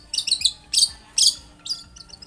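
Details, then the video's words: Brief long-tailed shrike phrase meant to prompt a reply from other shrikes: a few harsh, high chattering bursts with short gaps between them. "SUARA cendet gacor INI AMPUH untuk pancingan agar cendet bunyi JADIKAN burung cendet NYAUT SEKETIKA."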